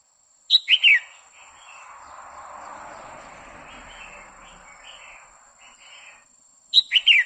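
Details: A female red-whiskered bulbul sings continuously to excite a male, a loud quick three-note phrase of sharp, descending chirps, repeated after about six seconds, with a soft hissing rumble between the phrases.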